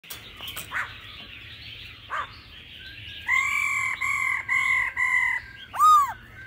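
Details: Laughingthrush singing in an old wild-forest voice, mixed with female calls: faint notes at first, then a series of loud, steady, flat whistled notes rich in overtones, ending in a sharp downslurred whistle.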